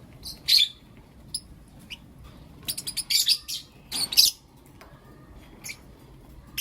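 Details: Lovebirds, blue opaline and lutino opaline, chirping in the morning with loud, shrill, grating bursts separated by quiet pauses and a few thin, faint chirps.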